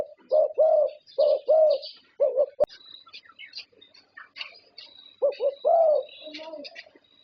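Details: Thai zebra dove that has won many prestigious contests sings soft, rounded coos in quick clusters at the start and again near the end, while thin high chirps and twitters from other birds fill the pause between.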